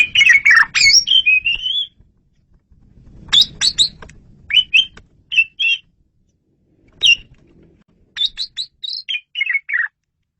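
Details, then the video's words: Clear, loud Asian pied starling song meant for luring birds: harsh buzzy warbling opens, followed by spaced whistled and chirping notes, some sliding downward, with a faint low rumble in the middle. "SUARA JALAK SUREN RAJANYA MP3"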